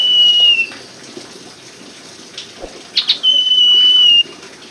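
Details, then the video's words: Common iora (sirtu) used as a lure to get silent or reluctant birds singing: two long, pure, level whistles, the second after a couple of quick sharp notes, with faint hiss behind. "pancingan sirtu macet bunyi & malas bunyi TERBUKTI ampuh"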